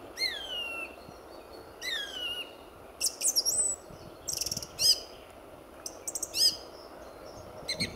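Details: Early February 2014 dawn at RSPB Fowlmere with a lively male song thrush singing; two long descending whistles, then quick rattles and bright squeaky notes in varied groups, pauses between them, faint rumble below.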